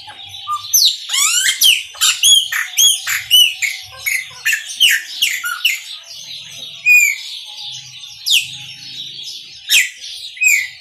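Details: Chopi blackbird in full Maranhãozinho song, sounding a rapid, rollicking series of loud upswept and downslurred whistles for several seconds, then slower, sparser ringing notes over a faint high murmur.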